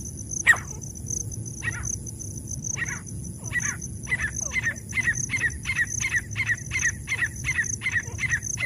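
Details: Black francolin, female and male, calling: one loud sharp note, then spaced chirps that quicken into a steady run of short clipped notes, about three per second, over a continuous high whine.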